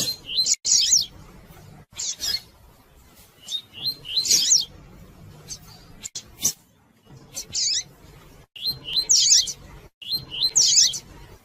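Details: Female double-collared seedeater chirping repeatedly to provoke males into singing; high, thin calls and bright twittering bursts recur every second or two, with soft clicks and a low murmur behind.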